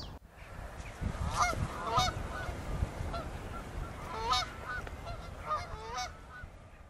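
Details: Canada geese (Branta canadensis), a flock staying year-round at a garden pond in Friesland, give loud, nasal honks, several overlapping in irregular bursts, over a steady low rumble of wind or water.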